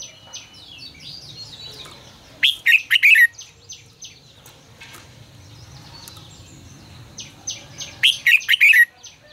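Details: Red-whiskered bulbul in 'ché căng lửa' style song, offered as a decoy voice for training birds: two sharp clusters of fast, rich, looping whistled notes about five seconds apart, with softer high chirping and low hum between.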